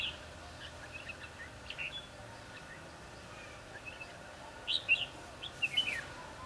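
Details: Red-whiskered bulbul heard during a trapping session on 22 December 2015 gives short, bright, chirpy phrases, a faint one early and two louder bursts near the end, over a steady hiss of background noise.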